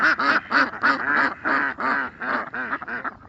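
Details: Ducks in a natural setting giving loud nasal quacks in short bursts of about three per second, each call harsh and evenly spaced, with brief pauses between groups.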